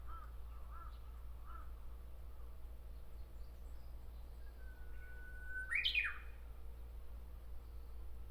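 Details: From a tree in Miyakonojo, Miyazaki, Japan, a Japanese bush warbler sings a sustained whistle that snaps into a sharp, rising flourish midway, preceded by three soft caws in the background.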